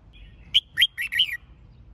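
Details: Red-whiskered bulbul singing a competition-training phrase meant to fire up other birds: a sharp note, then a quick run of four clear, liquid whistled notes that dip and rise, all within about one second.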